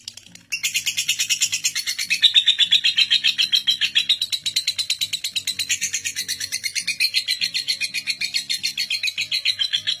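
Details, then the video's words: Lovebird singing its record-breaking long ngekek, a non-stop trill lasting seven minutes, used as a master to train young lovebirds: a rapid high chattering trill pulsing about four times a second throughout, with faint low background music. "Pancingan Lovebird NGEKEK PALING PANJANG Pemegang REKOR Saat ini | Ngetik Ngekek"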